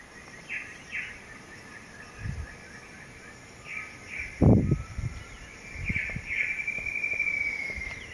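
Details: A White-throated Kingbird gives thin, high chipping notes in pairs, ending in a longer sputtering twitter, over low thumps and wind rumble, at Pouso Alegre in the Pantanal, Brazil.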